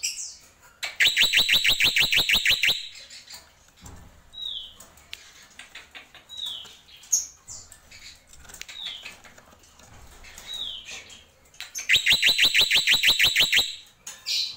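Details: Jalak pito (black-winged myna) alternating tembakan bursts of fast repeated sharp notes at the start and end with a middle stretch of scattered, clear downslurred whistles and soft chips.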